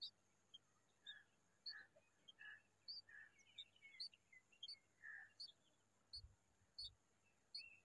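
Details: Bulbul parent sitting together with her young, giving short, slurred chirps about every half second, with thin high peeping notes in between and a steady insect-like hiss behind.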